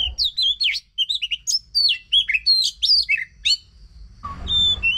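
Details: Oriental magpie-robin song used to prompt a quiet magpie-robin into singing: rapid sequence of bright whistled and down-slurred notes, ending with a long pure whistle over a brief patch of rustling noise.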